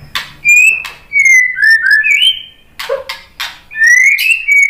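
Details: White-rumped shama song for luring birds into answering: clear sweet whistles gliding up and down, a low short note in the middle, and sharp clicks between phrases.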